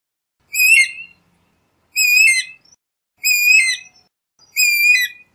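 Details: Guira cuckoo walking in a garden at dusk, searching for food in the last sun; four loud harmonic calls, each a rich descending-then-flat whistled note with buzzy overtones, repeated about every 1.3 seconds against silence.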